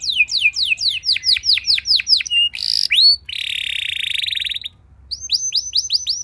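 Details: Canary song played to draw other canaries into song: a cascade of downslurred whistles, a buzzy burst, a long harsh buzzing trill, a brief pause, then bright repeated rising chirps.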